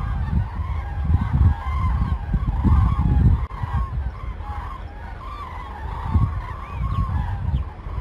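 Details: A flock of cranes over Arnedo on 2 November 2017, taken as a sign of changing weather, gives loud, rolling trumpeted calls that overlap continuously over a heavy low rumble of wind or distant traffic.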